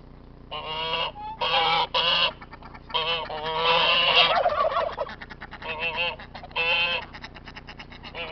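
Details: Farm geese honk at visiting outsiders they dislike: loud, nasal, harmonic-rich honks in bursts of about half a second to a second, some wavering, repeated irregularly across the eight seconds with brief gaps between.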